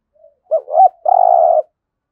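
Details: Single cooing phrase from a spotted dove, intense coo used for daily decoy training: faint soft lead-in, two quick rounded low notes, then a longer steady hollow coo, clean and quiet background.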